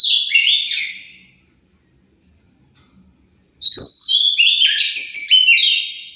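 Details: Oriental magpie-robin song, a lure for getting other birds to answer; a rich whistled phrase fades out, a pause follows, then a click and another loud, varied warbling phrase.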